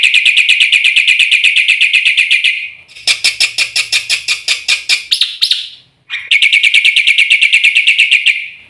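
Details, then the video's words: White starling, a black-winged myna, singing a full song as a lure and tutor: long fast rattling series of high harsh notes, broken by a slower spaced chatter section with a faint low hum, then the rapid rattle resumes. "suara burung jalak putih full isian RAJANYA PANCINGAN - MASTERAN bikin gacor PAGI - SIANG - MALAM"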